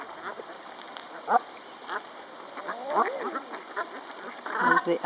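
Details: Displaying common eider at Castle Espie wetland centre: soft, low cooing notes that swoop up and down around midway, amid scattered quacks from other waterfowl and a steady background hiss.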